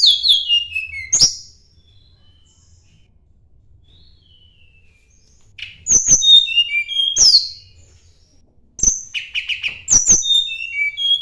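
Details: Sunda blue robin singing as though seeking a rival: a cascade of high falling whistles, a long silence, then several fast phrases of clicks and bright whistles in close succession.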